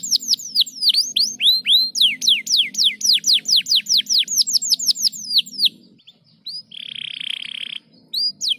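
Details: Canary song meant to stimulate lazy canaries to sing: rapid run of loud, high, downward-sweeping whistled notes, about four per second, then a pause with a short buzzy trill and a few more notes, over a low steady hum.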